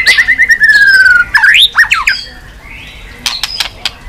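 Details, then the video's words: White-rumped shama, or chòe lửa, tail-flicking while pushed into song. A rapid descending trill, then loud looping upswept whistles, fading into quiet with a few clicks. "chòe lửa tạch đập đuôi sàn cầu dùng kích lửa cho chòe lửa lên lửa cực nhanh hót.Chòe Lửa đánh đuôi"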